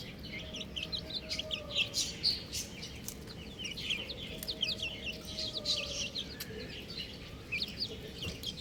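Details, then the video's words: Several buff chicks peeping together in quick, high, downslurred chirps, overlapping almost constantly, with a few louder notes standing out and a faint low hum underneath. "Adorable Chick Sounds | Amazing Chicks Chirping Sounds"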